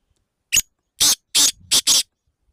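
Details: Black francolin calling loudly: five harsh, rasping notes in about a second and a half, a short first note then four longer grating ones in quick succession, set against an otherwise silent background.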